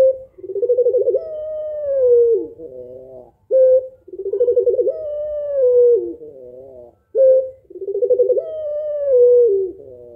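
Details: Female spotted dove calling to stir a lazy male into cooing; three full phrases, each a short steady note, a bubbling tremolo, then a long smooth whistle-like coo sliding down, repeating roughly every three and a half seconds.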